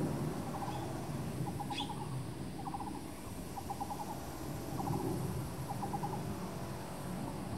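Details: Taiwan blue magpie nestling at Jiuzhuang, Nangang, recorded 26 May 2016 (ROC year 105): short bursts of four or five quick, evenly spaced notes, repeated roughly every second, over steady low background rumble and a brief higher sound.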